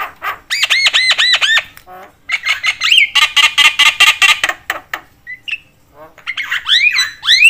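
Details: Chattering Javan myna, its call said to stir other mynas: a run of arched whistled notes, then a fast burst of harsh rasping pulses, a pause, and rising slurred whistles.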